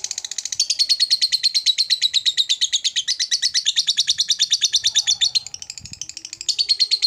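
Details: A lovebird in long ngekek song, a steady stream of fast, shrill, rattling chirps that barely pauses, then dips briefly and resumes with the same high buzzy chatter.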